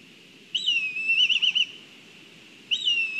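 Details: A Black kite (Milvus migrans) in Kurzeme, Latvia, gives a high, whinnying whistle that wavers into a quavering trill, then starts a second call about two seconds later. Faint background hiss.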